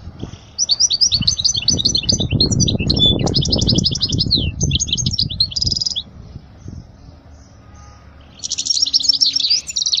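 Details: European goldfinch, song intended to teach young goldfinches: long, rapid, chattering stream of high liquid twitters and buzzy rattles, with loud low rustling mid-clip, a gap, then a final buzzy twittering phrase.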